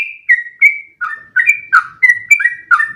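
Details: Continuous long-breath song of a sooty-headed bulbul, used to train other birds to copy it: clear whistled notes around a steady pitch, each dropping slightly, delivered roughly three per second.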